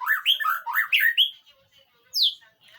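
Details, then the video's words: White-rumped shama song on a training recording to draw a reply: a quick series of bright, bouncing whistled notes over about a second and a half, a short pause, then one high, falling whistle. "masteran burung murai batu,di jamin nyahut"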